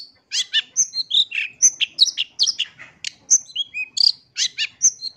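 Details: Long-tailed shrike (cendet) in lively lure song to set other shrikes singing: a dense run of varied chirps, scratchy notes and thin high whistles, about one phrase a second.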